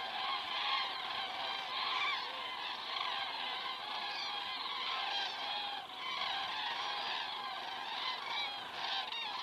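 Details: Loud, dense chorus of common cranes flying over in the evening in Estonia, 19:10 on 19 September 2017, from a crane camera; many birds bugle and trumpet together without pause, rising and falling in waves.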